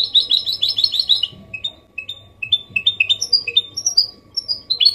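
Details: Copia Málaga song of a goldfinch hybrid, used to stimulate males and teach chicks: a quick bubbling twitter lasting over a second, then scattered single chirps and short, high, slurred notes.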